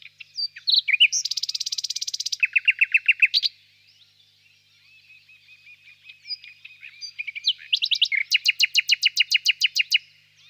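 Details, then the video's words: Distant nightingale in a birch grove on a warm spring evening: a dense buzzy churring burst, then a quick series of sharp repeated notes, a quiet stretch of soft twitters, and a long rapid run of loud clicking pulses. "Пение соловья"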